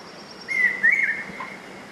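A large hawk-cuckoo gives a loud, shrill two-part whistle, the second note slightly wavering, in a quiet setting.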